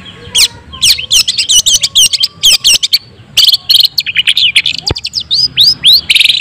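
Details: White-breasted long-tailed shrike singing to goad other shrikes into singing. Quick sequences of high, clipped chirps are followed by a few rising whistled sweeps and a final buzzy rasp.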